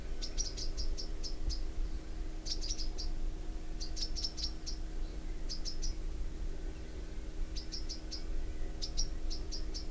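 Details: Bronze sunbird calling: sharp, high, thin chips delivered in quick bursts of three to five notes, the bursts spaced roughly one to two seconds apart, over a steady low mechanical hum.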